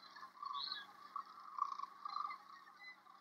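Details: Sandhill cranes during spring migration at sunset on the Platte River, Nebraska, flocks pouring onto shallow river sandbars for the night; a continuous rolling chorus of many distant cranes, swelling and fading in bursts.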